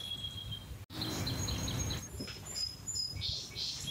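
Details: A house sparrow gives short, high chirps in quick irregular bursts over a steady low rumbling background, with a sharp click near the start.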